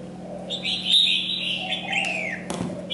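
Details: Molting red-whiskered bulbul giving a sustained bright whistled phrase that holds level then slides downward, followed by a sharp click; faint low hum throughout.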